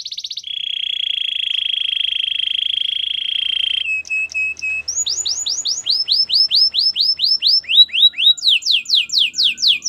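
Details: White canary: a long even rattling trill held for several seconds, a few short notes, then successive runs of repeated curved whistled sweeps changing pitch from run to run.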